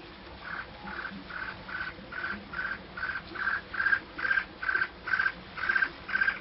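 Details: Chicks being fed worms by their mother, giving a steady series of short, thin cheeping notes, roughly two each second, evenly spaced and growing slightly louder toward the end, over faint background hiss.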